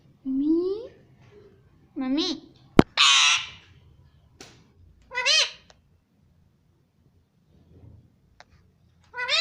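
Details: Indian ringneck parrot mimicking speech: short rising voiced syllables spaced about two seconds apart, a sharp click, one harsh raspy squawk, and a final rising word.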